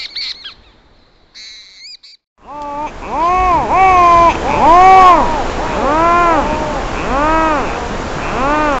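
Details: A seabird at night on Matushka Island, Alaska Maritime National Wildlife Refuge, in summer 2013, recorded by an automated recorder, gives nasal, arched calls that rise and fall about once a second, after faint high whistles.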